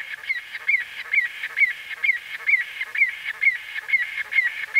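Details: White-fronted bee-eater giving close-up calls, recording date unknown; a rapid series of short, clipped, slightly nasal notes repeated about twice a second, rolling on steadily with a faint overlapping chatter and no other sounds.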